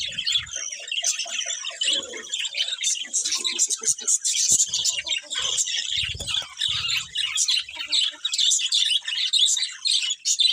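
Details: Chattering colourful budgies, many high chirps and scratchy twitters running together, with a few short low thumps underneath.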